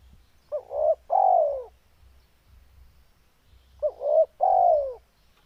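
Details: Spotted dove in full breeding mood: two soft cooing phrases, each a brief rising double hoot then a longer downward-sliding coo, separated by three seconds of quiet hum.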